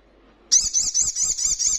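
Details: Ruby-cheeked sunbird in a training recording that provokes caged birds to answer: a sustained rapid high buzzy trill with pulsing notes lasting over a second after a short silence.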